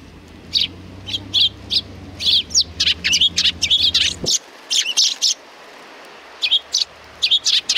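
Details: Sparrows greeting a visitor at a Tenmangu shrine on 3 July 2020 give a burst of sharp high chirps, dense and overlapping, with a low hum in the background during the first four seconds before it drops away.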